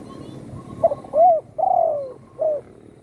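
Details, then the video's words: Spotted dove, once shot in the wing by a hunter and now kept at home, cooing vigorously: a short soft note, an arched coo, a long drawn-out descending coo, then a brief closing coo, over a quiet low hum. "burung tekukur,yg dulu di tembak orang kena sayapnya patah,kini sudah gacor di Rumah"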